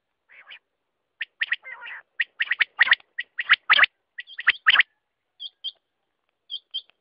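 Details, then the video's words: Quail giving a mix of harsh, gargling bursts and sharp clipped notes, ending with soft paired whistles. "Batair ka awaz"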